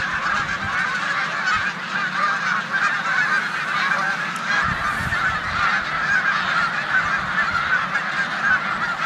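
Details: Large flock of snow geese resting in a corn field on Olmstead Road, Savannah, New York, 14 March 2020, before migrating to the Canadian tundra, with resident Canada geese nearby; a dense, unbroken chorus of nasal honks, with faint low rumbles.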